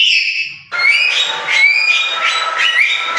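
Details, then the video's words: Lory described as talking: a loud, continuous run of tonal, voice-like sounds with rising glides and bright overtones, starting with a short held tone, a brief pause, then several gliding syllables over about two and a half seconds. "burung Nuri gacor √√ burung Nuri ngomong"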